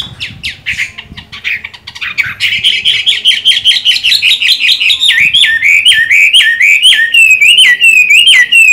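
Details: Chinese hwamei, a kept songbird of the green-bean-eyed type, still singing strongly while moulting: varied loud whistled phrases, then a fast run of repeated notes, then sliding, stepped whistles repeated about every half second.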